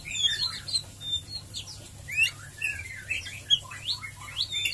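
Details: White-rumped shama in ngeriwik and ngeplong song style, played as a quick lure to get shamas singing: rapid varied whistles and sharp slurred notes, rising and falling, with a steady low hum beneath.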